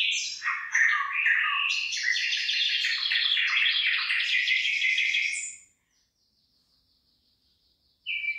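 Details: Birdsong in a rice field as the crop begins to head: a long, continuous warbling stream of fast chirps and trills lasting over five seconds, then silence and a short high whistle at the end.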